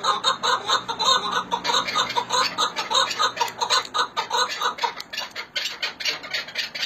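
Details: Chukar partridges from Hakkari and Dersim, Turkey: a steady run of harsh, clucking chuck notes repeated about one and a half times per second, slowing and loosening toward the end.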